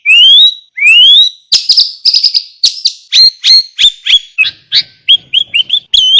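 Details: Sooty-headed bulbul master song with rich fill-in phrases: two long rising whistles, then a rapid stream of sharp chirps and short notes, closing with a quick run of ringing, upturned notes.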